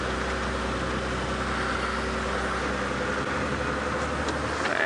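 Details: A vehicle engine idles steadily under faint background murmur, with no animal calls to be heard.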